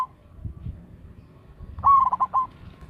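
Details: One stuttering coo phrase from a loud local zebra dove used as a lure: rapid short notes then a held final note, following a stretch of soft low background noise.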